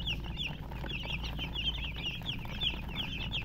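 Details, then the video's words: Young chickens chirp rapidly, with sharp, high peeps tumbling over one another in a steady stream and a low hum beneath. "Baby "Chicks Chirping" Sound"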